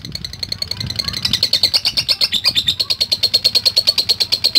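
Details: Lovebird responding to a lure recording: high ticking notes that become loud and regular after a quieter, noisier opening.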